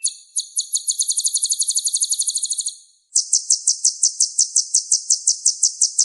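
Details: Sunbird known as kolibri ninja, valued as a vocal teacher for other songbirds: a quick, high trill that speeds up over three seconds, then after a short gap slower, evenly spaced piercing notes.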